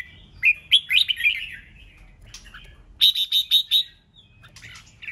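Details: A red-whiskered bulbul sings a fast, fiery phrase to incite competition: a rolling run of chirpy, slurred whistles, then a pause and a row of five sharp, even, clipped notes, with a low hum behind.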